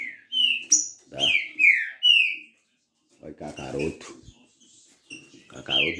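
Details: On 3 October 2023, a female green-winged saltator ready to breed solicits a male while another male tries to reach her: loud, clear whistled phrases of slurred, falling notes in quick succession. A man talks over a pause, then the song resumes.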